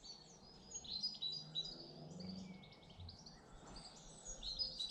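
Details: Garden birds in Britain: thin, high chirps and short twittering notes scattered over a hushed outdoor background, with one longer whistled note in the middle.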